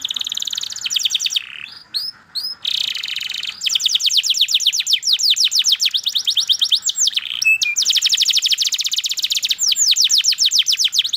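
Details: Kenari (canary) singing a long, lively song of rapid high chirps and trilled phrases, repeated fast sweeping notes broken by brief pauses, with a few sharper whistled accents.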